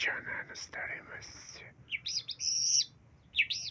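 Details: Talking myna producing rough, speech-like syllables at first, then a gap followed by high, clear whistled notes rising and falling in short bursts, with a final loud whistle near the end.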